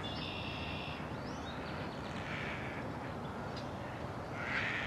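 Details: Terns from a colony nesting on the roof of an abandoned building beside the Cataraqui River, engaged in courtship and mating, give harsh, rasping calls in short bursts, one drawn-out cry at the start, over a steady roar of wind and surf.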